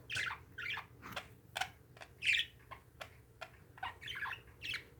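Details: Pet parakeets squawk in scratchy bursts mixed with sharp single chirps, uneven in spacing, over a low household hum.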